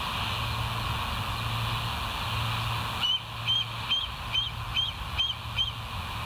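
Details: Bald eagles at the West End nest, 9 August 2023, 17:20, on a live nature cam: after three seconds of steady low hum, thin high piping notes start and repeat about twice a second in a loose series.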